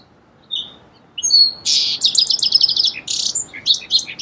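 A song sparrow sings a few clear introductory notes, then a harsh buzz, a quick rattling trill and a jumble of bright high notes; the background is quiet.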